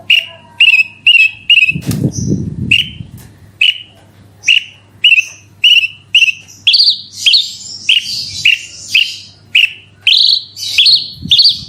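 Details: Bush lark song for prompting other birds to sing: crisp chirps repeated about twice a second, then richer warbled phrases climbing higher, with a brief low rustle early on.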